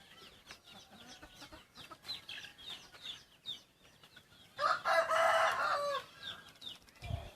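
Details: Decoy cockerel crossbred with wild junglefowl, yellow-line type, crows once for about a second and a half, coarse and loud, over a busy chorus of small chirping birds and a low thump at the end.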